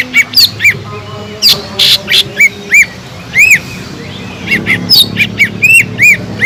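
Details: Greater green leafbird in full, constant song, used as a lure to rouse listless leafbirds into arousal: bright whistled notes arched near the upper range, given in quick bursts with short pauses, some sharper high chips between.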